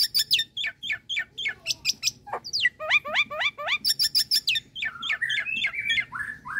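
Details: Nias hill myna calling with a dense stream of sharp chirps and descending whistled slurs, many notes repeated rapidly, a few lower clicks, then wavering whistles near the end.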